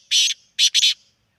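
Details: Black francolin from Sindh uttering a short burst of three loud, scratchy notes: one longer note, a brief pause, then two quick ones in a clean, quiet setting.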